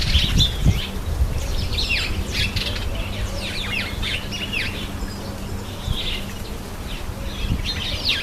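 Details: Cape sparrow bathing, giving quick, repeated bright chirps, several a second, over a steady low rumble and hum.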